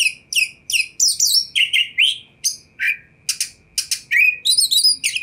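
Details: Oriental magpie-robin song played to provoke a response from other magpie-robins: quick varied phrases of bright chirps, downslurred whistles and short buzzy notes in rapid bursts, over a faint steady background tone.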